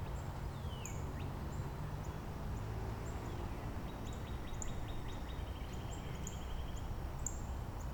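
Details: Northern Cardinals in Angrignon Park singing variant song themes back and forth; an early downward-sliding whistle, later a burst of rapid upslurred units flowing into a level trill, with many high thin notes of another bird and low rumble.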